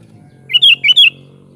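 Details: Sooty-headed bulbul (kutilang) sings a short, loud phrase of two paired liquid notes, bubbling and upslurred, above a steady low hum.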